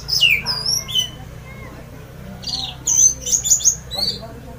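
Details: Orange-headed thrush (anis merah), a kept songbird, giving loud 'ngeplong' song meant to set other birds singing: high whistled sweeps and falling slurred notes, then a burst of rapid buzzy trills and sharp chips, with pauses between phrases and a low steady hum.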